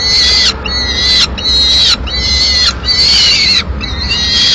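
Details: Food-begging Peregrine falcon chick, Madrid, 22 May 2016, after the male delivers a swift that the female eats. Shrill, raspy screams of under a second repeat roughly every second, hardly pausing.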